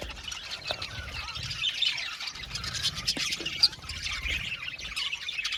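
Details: Budgerigars in a colony aviary keep up a soft, continuous chirping murmur, scattered sharper tweets and brief squawks rising from the dense background chatter.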